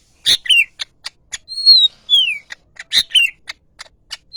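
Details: Yellow-headed greater green leafbird song: loud sharp chirps and ticks with a drawn-out clear whistle and a falling slurred whistle in the middle, then more bright chirps.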